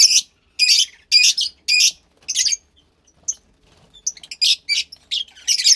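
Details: Fischer's lovebird chick about 15 days old, captive, from a lutino and pastel blue pair: a series of loud harsh squawks roughly twice a second, then softer, quicker squeaky chirps.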